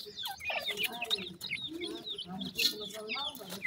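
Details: Pheasant chicks at their feed utter a busy stream of high peeping and chirping notes, several birds overlapping, with low murmuring beneath.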